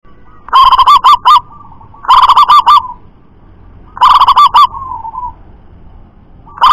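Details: Local wild zebra dove (perkutut) repeating a loud, fast, rolling coo of about five pulsed notes, three phrases roughly every 1.7 seconds plus the start of a fourth, with a faint soft coo after the third.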